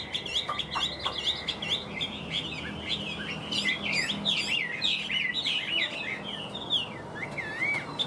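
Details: A tame Chinese hwamei sings from its cage, growing more fired up as it goes: a long, rich run of varied whistled phrases, rising and falling slurs and quick trills, nearly unbroken, with a low background hum.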